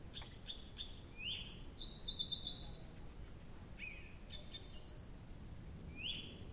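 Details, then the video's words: Nightingale singing at night near Abramtsevo in early June, 6 June 2021 from 23:00; short repeated clicks, a rising whistle, then a fast buzzy rattle and more slurred whistles, faint rural background. "Соловей поёт всю ночь"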